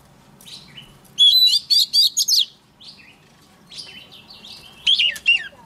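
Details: Decoy Oriental magpie-robin in morning song practice, used to rouse other birds fast: after a soft start, a loud run of sharp, rapidly repeated whistled notes, a pause, then further scratchy and whistled phrases near the end.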